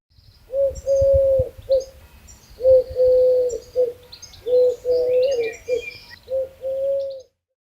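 A dove gives four low, hollow cooing phrases, each about a second long with a slight swell, while faint high chirps of small birds sound in the background.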